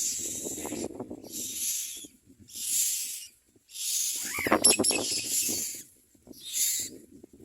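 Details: Common myna nestlings being fed and begging for food give raspy, hissing screams in uneven bursts, along with a short rising whistled note midway and faint low rustles in between.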